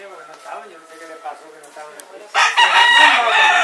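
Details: Two conflicting roosters yelling at each other close to a cock fight, Puerto Rico, winter 2014; after quiet chatter and faint sounds, a loud, strained, harmonic crow breaks in and holds to the end, with voices around.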